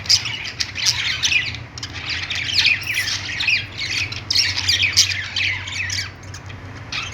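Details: Budgies on a perch in a pet store squawk and chirp in overlapping bursts, the lively chatter rising and dipping over several seconds above a low hum.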